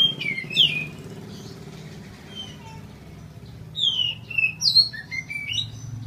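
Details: Captive Oriental magpie-robin, fully recovered after severe cataracts in both eyes, singing freely again: scattered bright whistled phrases, some sliding downward, separated by pauses, over a steady low hum.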